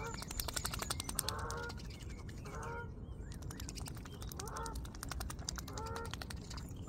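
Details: Intermittent goose honks, short and nasal, come from behind a swan feeding on seeds; busy clicking and tapping of the feeding fills gaps, with low background rumble.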